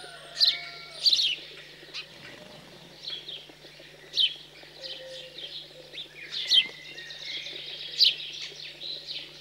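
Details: Post-fledging feeding of house sparrows, rural central France, 15 June 2020: scattered harsh chirps in small clusters over nine seconds, soft distant whistles and birdsong behind.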